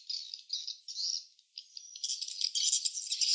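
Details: Swiftlets calling at the nest: three short buzzy bursts, a brief pause, then rising, denser high twittering that swells toward the end.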